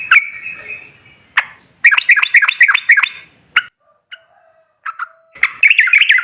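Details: Lure recording of a sooty-headed bulbul singing to draw replies from other bulbuls: a held whistle, then quick bursts of bubbly, warbling notes broken by short pauses and single chirps, ending in another lively burst.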